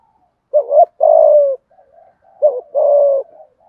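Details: Spotted dove used as a lure, coaxing wild birds with a 'thúc gù' coo in the 'thổ' voice: two low phrases, each a brief double note then a sustained, gently falling coo, with soft faint murmurs between.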